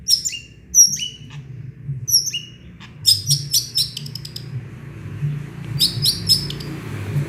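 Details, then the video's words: Small-bird imitations from a singing long-tailed shrike, opening with spaced high downslurred whistles, then a fast stuttering run of buzzy chirps, ending in another quick chattering burst. "Cendet gacor full isian burung kecil"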